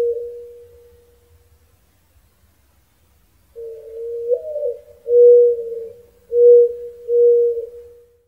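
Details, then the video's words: Mourning dove giving its soft, low, mournful cooing: a slurred note that rises and falls, then three steady, hollow coos, with nothing else heard. "Mourning Dove Sound"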